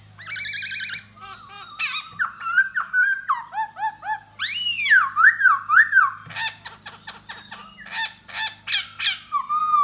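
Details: Male laughingthrush of the Da Bò type, singing and dancing to lure a female. It pours out a varied, rapid medley of harsh squawks, clear slurred whistles and a wavering looped whistle, with notes coming several per second.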